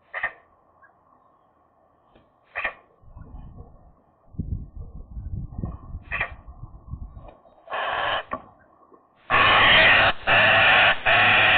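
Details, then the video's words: Eurasian magpies at their nest, challenged by other magpies over ownership. Scattered short calls give way to a rough rustling stretch, then loud harsh grating bursts about one second long, the final ones merging into a sustained raspy chatter. "magpie nest challengers part 3, nice song"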